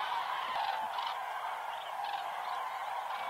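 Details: Flocks of cranes on the Hortobágy steppe, Hungary, during their autumn migratory stopover, heading to night roosts in the evening; a softer, more distant mass of overlapping trumpeting calls that swells and fades irregularly.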